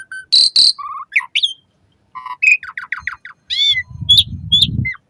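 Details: Asian pied starling song used as a morning and evening lure to get caged starlings singing: loud varied whistles, harsh buzzy bursts, rapid repeated downslurred notes and bright chirps in quick phrases, with a brief low rumble near the end.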